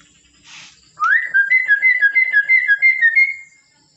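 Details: A talking common hill myna, able to imitate human speech, gives a rising whistle after a soft rustle, then a quick run of clear, warbling two-note phrases about three per second, lasting over two seconds.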